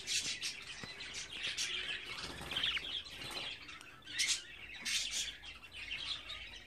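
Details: Chattering of 24-day-old budgerigar chicks: rapid, harsh high chirps in overlapping bursts, a few louder rasping notes near the middle and end.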